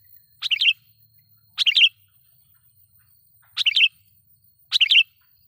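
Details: Sooty-headed bulbul calling loudly as a lure to anger wild rivals: four brief, burbling chirped phrases in two close pairs over about five seconds, with a quiet background.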